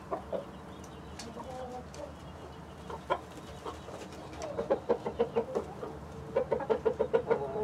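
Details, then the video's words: Backyard flock of hens (Light Brahma, Barred Plymouth Rock, White Leghorn among them) with Rhode Island Red roosters; scattered clucks and sharp clicks, then rapid rhythmic bursts of clucking, several notes a second, over a soft background hum. "12 Hours Of Chicken City Live Stream With Relaxing Nature Sounds"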